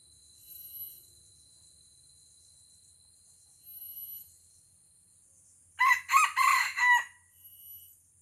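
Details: Wild red junglefowl in Aceh, lured by a decoy and fighting it, gives a loud four-part crow of rough harmonic syllables lasting about a second, over steady high insect buzzing that rises and falls every few seconds.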